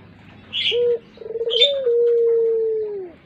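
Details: A puter pelung dove, used as a lure bird, gives a low coo: a short note, a bubbling run, then one long, steady, slowly falling tone. Brief high chirps from other birds are heard over it.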